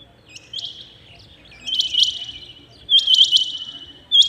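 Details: Rain quail calling early in the morning: a soft first note, then loud ringing double and triple high notes, with the last burst starting a new call.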